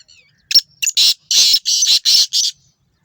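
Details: Black francolin calling in Sindh, Pakistan: a quick series of about six harsh, grating, broadband notes, the later ones longer and scratchy, delivered in under two seconds.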